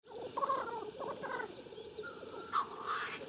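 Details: Black grouse at a lek near Klassino, Omsk region, Siberia, 2018, give a steady, low, dove-like bubbling rookoo, rising and falling without pause, with a few thin, higher chirps from other birds above it.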